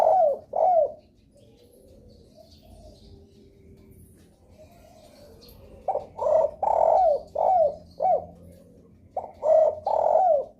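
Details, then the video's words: Lure call of a spotted dove, used to draw replies from other doves: two soft coos, a quiet gap, then a run of four to five hollow coos with falling ends, and a new phrase starting. "suara pancingan DERKUKU paling di sukai derkuku lain..sekali dengar langsung respon gacor"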